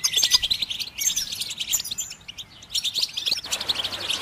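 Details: Goldfinch song meant to spur other birds to sing: bursts of high, jingling twitters and chirps separated by short quieter pauses, with a faint low hum beneath.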